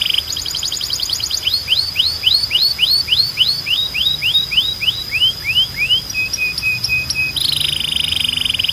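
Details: A Belgian canary sings a quick rattle, then a long run of clear descending whistled sweeps. Short flat notes follow, then a dense rapid trill to finish. Faint low hum underneath.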